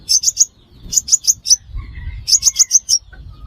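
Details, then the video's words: Sunbird called five-coloured sunbird, played as a trapping lure: three-to-five-note bursts of thin, high, sharply pitched chips, evenly spaced, with a faint lower whistle from another bird in a pause. "Tiếng chim hút mật 5 màu"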